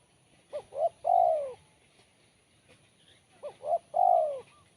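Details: Crisp, sharp spotted dove song: two matching three-note phrases about three seconds apart, each of two short coos and a long falling coo, with quiet pauses between them.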